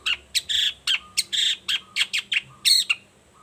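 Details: Morning lure song of a Long-tailed shrike meant to draw replies from other shrikes: grating, buzzy rasps alternating with sharp chattering notes and brief whistles in quick, uneven succession.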